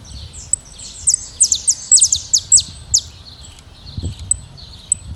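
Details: Saffron finches, a free-living flock in natural surroundings, giving high, thin chirps and quick downward-slurred notes in irregular bursts. Some low background rumble is present.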